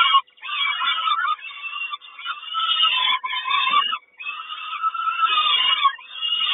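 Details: Peregrine falcon nest in Kawęczyn, 3 June 2022, mother bringing breakfast: an almost unbroken stream of rasping, shrill screams with brief dips in loudness.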